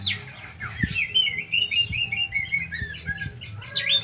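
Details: Short burst of oriental magpie-robin song: quick whistled slurs and a series of repeated chirpy notes, then a sharp rasping phrase, above a faint hum.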